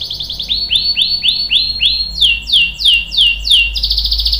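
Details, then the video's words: Singing canary delivering a long roll, used for prompting and tutoring other canaries. It runs through repeated rising-then-falling whistled notes at a steady pace, shifts to sharper downward sweeps, then ends on a fast buzzy trill. "KENARI GACOR NGEROL panjang bagus untuk PANCINGAN dan MASTERAN biar ikut BUNYI | CANARY SINGING"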